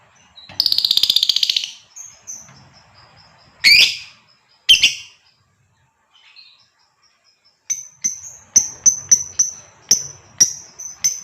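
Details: Female fighter lovebird calling to prompt a male to sing long chattering phrases: a harsh buzzy burst, a few sharp loud notes, a pause, then a series of short high chirps repeated about twice a second.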